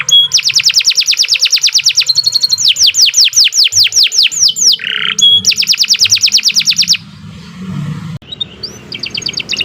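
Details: Canary in long, nonstop song used as a tutor recording for training other birds: fast trills of repeated bright notes, then rolling downslurred whistles and a low buzzy tour, with a faint hum beneath.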